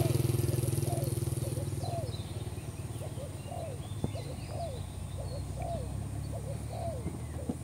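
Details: Spotted dove call for luring birds into traps, from a newly caught bird: a long series of short, falling coos, about three a second in rhythmic groups, with faint twittering of other birds and hum fading at the start.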